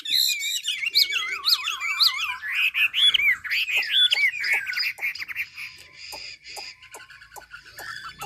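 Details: Chinese hwamei from Ha Giang, Vietnam, singing a wavering trill, then loud looping whistled phrases, fading into quick soft chips repeated about twice a second with a thin whistle.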